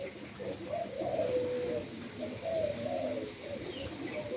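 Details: Endemic doves bred in Indonesia give soft low coos in swelling phrases, two strong bursts separated by a quieter gap, with an occasional faint high chirp of another bird.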